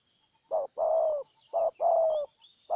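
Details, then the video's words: Decoy spotted dove in Ninh Thuận, Vietnam, luring a wild bird. Low, mellow coos come in pairs, a brief note followed by a drawn-out falling one. Thin high twitters of other birds sound faintly in the background. "Cu Gáy Ninh Thuận clip 144 [ Hiệp 2 ] Mồi Siêu Gù thu phục bổi quá tuyệt vời"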